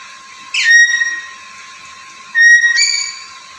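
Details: Very vocal black-capped lory, kept as a talking bird, sounding two whistled notes nearly two seconds apart, the second ending in a harsh rising flourish, with constant hiss behind.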